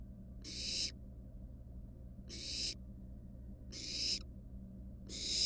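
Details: Barn owl nestlings, wild, at their monitored nest box, one perched on a mouse. Four long, noisy snore-like hisses are spaced well apart and grow louder through each burst.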